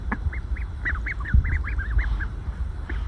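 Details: Happy, calm ducklings resting together in a pile, some in the sun, some in shade, give soft peeps. Each peep is short and arched, repeated in quick overlapping bursts from several birds, over a low rumbling background.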